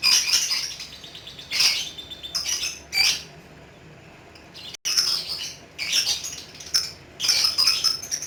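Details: Pet lovebird giving loud, harsh, high chattering bursts of 'ngekek' song, each lasting about half a second, repeated in irregular groups with quiet gaps between them.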